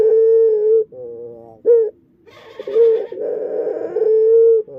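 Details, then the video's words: Barbary dove with an unusual song that its owner wonders may be a defect, giving long, steady, mid-pitched hooting notes, each under a second, broken by a rougher, buzzier burst partway through. "Suara Unik Burung Puter // Unique Sound Singing of dove"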